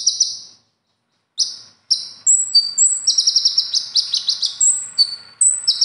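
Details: Konin trained for contests with imitated material, giving buzzy rattles, then high piercing whistles and a long stuttering trill interlaced with clear whistled notes.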